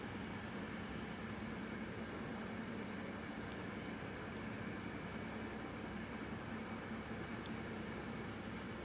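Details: Only a steady hiss of background noise is heard, with no animal calls.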